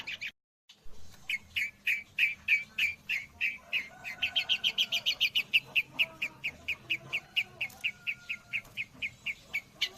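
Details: Long-tailed shrike with a song imitating the white-rumped shama, delivered as a long steady series of short bright chip notes, roughly three to four per second, quickening briefly in the middle before settling back to an even pulse.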